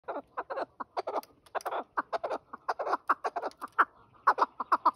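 Several chukar partridges give a busy, harsh chorus of clucking 'chuk' notes, about three to four a second, overlapping into a steady cackle.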